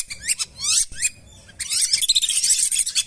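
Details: Lesser whistling duck lure call for swamps and paddies: a few separate falling whistled notes, a short pause, then a thick burst of overlapping chirpy whistles from many birds.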